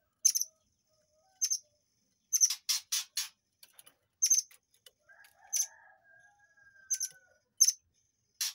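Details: Murai air song intended as a model for white-rumped shamas: crisp high chips and rasping notes in loose clusters, interrupted midway by a soft, drawn-out whistle and quiet twitters.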